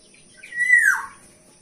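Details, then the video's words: Black-naped oriole song, used for luring birds: a single clear, fluty whistle that holds briefly, then slides smoothly downward, in a quiet setting. "Suara jernih kepodang"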